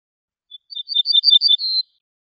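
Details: Ortolan bunting song: a soft first note, then a rhythmic series of about seven ringing, high double-toned notes, ending in a longer, steady, high whistle. Nothing else audible.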